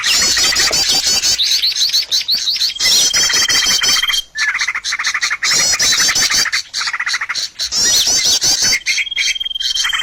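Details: Bird lure sound for catching birds: crowded high-pitched chirping and rapid trills, broken by short pauses, with a steady whistled tone stretching across parts of the chorus.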